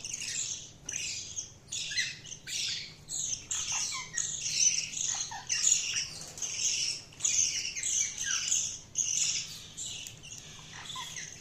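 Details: Budgerigars keep up steady, rhythmic high chirping, a run of short scratchy bursts repeated about twice a second over a continuous twittering chorus.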